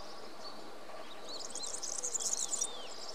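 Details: European serin song: a rapid, high, glittering jingle of about one and a half seconds, preceded by soft slurred whistles and followed by quieter sliding notes, all fairly faint against background hiss.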